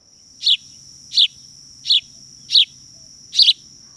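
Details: House sparrow giving five bright, chirpy cheeps, roughly one every 0.7 seconds, its simple cheep song, in a Utah backyard neighbourhood, over a steady high insect-like tone and faint low rumble.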